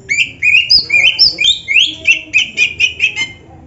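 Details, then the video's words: Oriental magpie-robin song played to get caged birds to sing: clear, varied whistled phrases, slurred up and down, then a steady run of about eight repeated chirping notes before fading. "Suara Burung Kacer yang cocok untuk Latihan"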